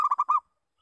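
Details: Single lure phrase from a local zebra dove: four fast, clipped coos run together in under half a second, then silence.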